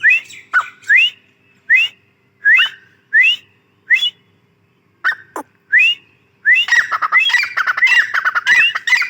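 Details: Calling female grey francolin, a grey teetar: spaced rising whistled notes every second or so, a brief pause with a sharp click, then a dense rapid chatter of upswept whistles and squawks.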